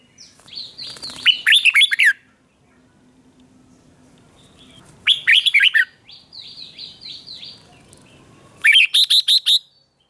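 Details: A red-whiskered bulbul sings in fighting-contest style to spur birds into song. Three loud phrases, each a rapid run of bright, slurred whistles, are spaced by gaps of several seconds, with softer thin notes in between.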